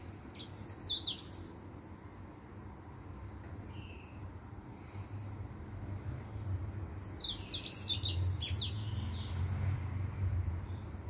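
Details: Singing male white tip finch: two dense bursts of rapid, high, scratchy chirps and twitters, the second one longer, separated by several seconds of near quiet over a low rumbling background hum.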